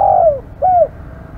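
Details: Aggressive spotted dove in a brief snatch: a drawn coo that falls away in pitch, followed by a shorter rounded coo, both soft and hollow over a low background hum.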